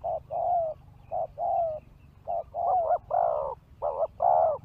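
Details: Spotted dove used to lure wild birds, giving soft coos in short-long pairs that grow louder and more wavering toward the end, with a faint low hum behind them.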